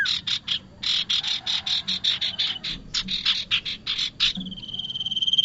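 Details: Lure recording for trapping bar-winged prinia: a fast run of buzzy, rasping notes repeated in a steady chatter, ending in a long, level, slightly wavering whistle.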